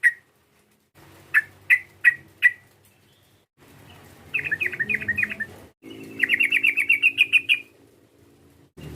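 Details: Sooty-headed bulbul lure call for provoking a rival: four spaced, clear chirps, then two fast rattling runs of rising, buzzy notes, with a low background hum and abrupt cuts between sections.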